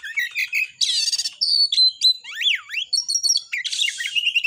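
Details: Singing Oriental magpie-robin, 'tembakan' style meant to raise other magpie-robins' aggression: short chirps, two buzzy rasping bursts, V-shaped whistled slurs and rapid stuttered notes.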